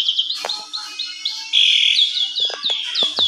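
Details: Asian pied starling singing an excited, varied lure song meant to provoke other starlings into singing. High whistled notes and slurred chirps follow quickly, with a sustained bright trill in the middle.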